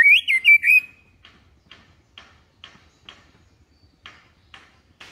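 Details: White-rumped shama song, calm in tone, meant to tutor young birds: a brief run of rich whistled notes, followed by soft dry ticking notes repeated roughly every half second.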